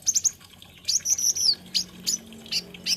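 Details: Olive-backed sunbird, Indonesian kolibri ninja, delivering quick, very high-pitched chirps, then a sharp descending whistled sweep and scattered thin tweets, against a faint low background hum.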